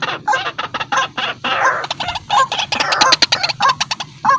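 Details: Lure recording of a vigorously calling white-breasted waterhen: loud, raspy notes repeated in quick irregular bursts, some clipped and some drawn out, forming a continuous noisy stream of calls.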